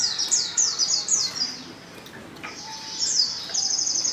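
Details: Female white-eye in heat calling for a male: quick run of high descending chirps, a short lull, then more thin high notes and a sustained high tone near the end.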